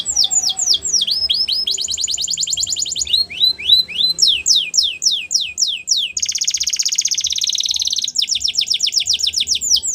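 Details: Canary singing for training young canaries: fast downward-sweeping notes alternating with dense trills and slower looping slurs, continuous and loud throughout.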